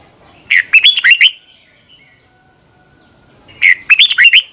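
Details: Red-whiskered bulbul morning song from 2020, meant for training other bulbuls, in a long twisting double-voiced style: two lively phrases of looping whistled notes about three seconds apart, with quiet between them.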